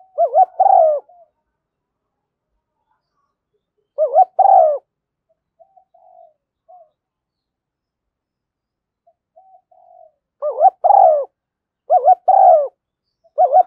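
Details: Decoy calling of a female spotted dove, used to attract doves, thúc gù and gáy gọi styles: repeated phrases of a wavering double coo joined to a drawn-out falling note, with long pauses between bursts, then several in quick succession.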